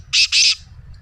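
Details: Black francolin kept as a pet: two quick harsh, grating buzzy notes, the second longer, over a faint low hum; the call is meant to make other pet francolins start calling.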